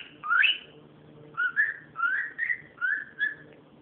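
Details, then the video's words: Pet cockatiel giving a loud upswept whistle followed by a string of shorter rising and falling whistled notes, with faint low household hum beneath. "calopsita fazendo barulho"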